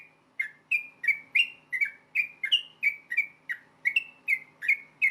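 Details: Yellow-vented bulbul in fast fighting-style song that is meant to get other bulbuls replying immediately; fourteen bright clipped whistles in five seconds, rising and falling between neighbouring pitches, light hum underneath.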